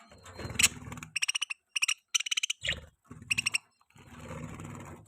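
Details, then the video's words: Budgerigar during mating, kept as a pet: short bursts of rapid, pulsed, buzzy chirps in quick clusters, separated by brief pauses, over a low rumbling background noise. "budgie chirping sound|budgie bird mating|budgie mating sound"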